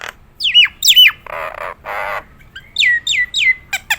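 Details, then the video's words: Nias hill myna singing in competition style: paired downward-sliding whistles, two harsh buzzy rasps, a run of three falling whistles, then sharp clicks. "burung jalak nias gacoran,suara istimewa"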